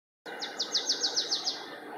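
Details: Marsh tit singing at Linford Lakes Nature Reserve, Milton Keynes, on 25 March 2015, one of several song types: a rapid run of about eight bright, down-slurred high notes, evenly spaced at roughly six per second, over a steady low hum.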